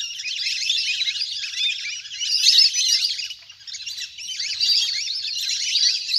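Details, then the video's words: A large flock of wild ducks on the water gives a crowded, shrill whistling chorus that briefly dips in volume midway before rising again. "เสียงนกเป็ดน้ำ! ฝูงใหญ่เสียงคมชัดมาก"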